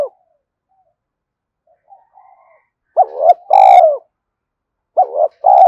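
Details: Spotted dove decoy calling meant to draw in wild doves, delivered quickly: soft faint cooing, then two loud two-part phrases, each a quavering note and a longer level coo, roughly two seconds apart.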